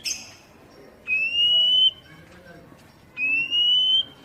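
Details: Oriental magpie-robin whistling used as a basic-sound lure so captive birds answer quickly: a rough opening burst, then two long, clear, slowly rising whistles, each slightly stepped in the middle, about two seconds apart.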